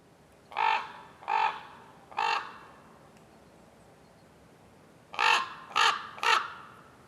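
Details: Common Raven in wild acacia woodland gives three harsh, hoarse caws about a second apart, pauses, then adds three quicker ones; nothing else stands out.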